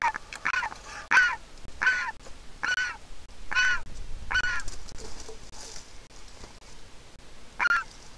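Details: Griffon vulture chick begging for food as its mother arrives to feed it at a nest in Israel, from a pair of handicapped parents; hatched 22 April 2021. Harsh, squeaky calls repeated roughly every 0.7 seconds, pausing near the end.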